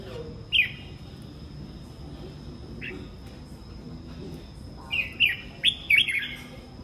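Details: Red-whiskered bulbul in the morning: a lone whistled note, a softer one, then a closing run of quick bright, chirpy whistles bunched together, over low background murmur and a steady high tone.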